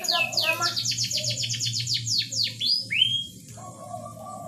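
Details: Singing canary, used to bring a bird that is slow to breed into condition: a rapid rattling run of falling notes about a dozen long, ending in a rising whistled slur, over a low droning hum.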